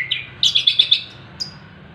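An Orange-headed thrush sings a quick run of five bright, high notes in half a second, framed by a brief chirp before and a thin higher note after.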